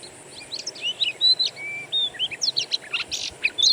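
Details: Lure recording for a kept Oriental magpie-robin: scattered short whistles and a long level whistle, followed by harsh noisy bursts and rising notes, with steady low background noise.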